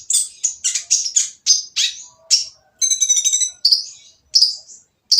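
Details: Van Hasselt's sunbird (kolibri ninja) producing a harsh song intended to prompt silent birds to sing: piercing down-slurred notes in quick succession, a buzzy, rattling trill, then isolated shrill whistles.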